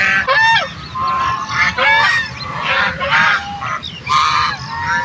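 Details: Ducks honking to one another in a series of short, raspy, nasal calls, grouped into bursts with quieter gaps of background murmur between them.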